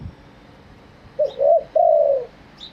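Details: Single spotted dove phrase in genuine wild style: two quick, soft coos and then a long, drawn-out coo that fades downward. Faint distant chirps from small birds are heard.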